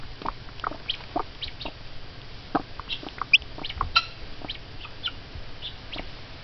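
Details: Mother hen beside hatching eggs, excited at peeps from an egg: rapid, irregular, soft clucks, about one and a half per second, with a few thin, high peeps standing out near the middle over a low steady hum.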